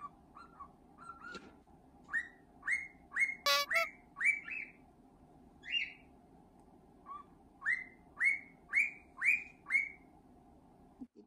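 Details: Pet male cockatiel singing during scratches, a series of upward-sweeping whistles repeated about twice per second in bursts, a clattering noise near the middle, faint hum in the background.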